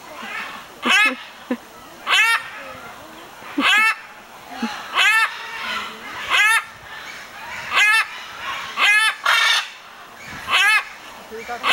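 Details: A male macaw near Iguazu Falls, Brazil, in January gives loud, harsh, stacked squawks roughly every one to two seconds, with fainter chatter between the calls and human laughter.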